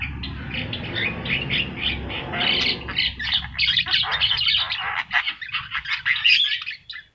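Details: Javan myna (yellow-eyed jalak kebo) in full song for a master recording used to train birds to sing quickly: dense harsh chattering and squawky notes, rising busier after the first seconds, over a low background hum.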